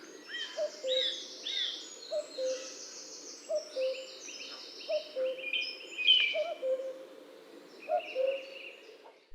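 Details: Two common cuckoos, believed to be a pair calling in unison, give low falling 'cu-coo' notes, overlapping about every second, in spring woodland on Île de Raymond, France, over a busy chorus of high twittering songbirds.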